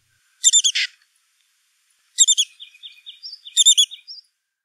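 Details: A female Black-capped Chickadee gives the broken dee call, heard only in breeding season once the nest cavity is complete and through early incubation: three bursts of rapid, stuttering, high buzzy notes about every 1.5 seconds.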